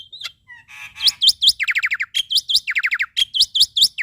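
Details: Male black-winged myna performing a varied song to stimulate young starlings: a buzzy rattle, then alternating hooked high whistles and rapid descending note series, closely packed.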